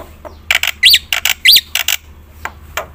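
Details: Singing black-winged myna, a steady song of varied phrases used to coax silent birds: quick harsh chatter notes and two sharp upslurred whistles within three seconds, then a few scattered clicks, low hum beneath.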